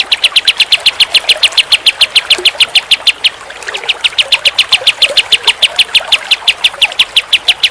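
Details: Pied triller singing in tembak style: a fast, steady series of sharp, high, chipping notes, about three or four each second, loud throughout, with a brief softer break partway.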